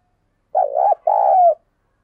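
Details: Vigorous urging coo from a captive decoy spotted dove meant to draw wild birds: a wavering first coo, a brief pause, then a long, smooth, mellow note that slides slightly downward.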